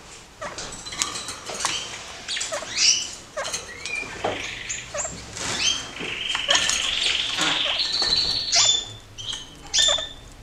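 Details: A pair of caged kakariki, active and curious, jumping about after their cage was cleared for more space: bright rising and falling whistled chirps, some long level tones, over rustling and cage noise.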